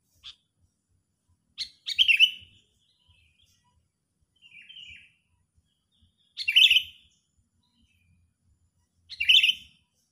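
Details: Sooty-headed bulbul used as a trapping lure, agitated and fully enraged, giving short harsh chattering bursts spaced a few seconds apart in an otherwise quiet setting, with faint low thumps.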